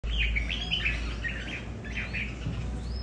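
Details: Red-whiskered bulbuls kept at home, several birds competing over territory, each with its own temperament: short chirpy warbled phrases at mid-high pitch over a steady low hum.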